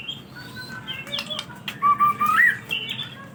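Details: White-rumped shama song used as a lure to get other birds singing: varied whistles, a clear rising whistled phrase that sweeps upward near the end, and some sharp clicks, over a background of low hiss.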